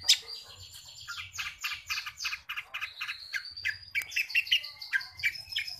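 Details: Long-tailed shrike mimicking house sparrow: rapid chattering chirps over a faint background, with a thin sustained whistle and sharper chips later.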